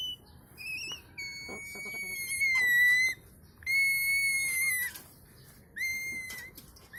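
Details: Cockatoo giving long, clear whistled notes held level with a slight downward bend at the end, three drawn-out whistles separated by short pauses, a few brief higher chirps in between, quiet indoor background.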